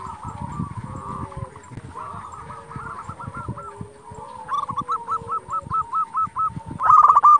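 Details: Local zebra doves in full song, played to provoke rivals into answering; rapid runs of short hooked cooing notes, soft at first then loud and evenly spaced near the end, with several doves overlapping and lower drawn-out coos underneath.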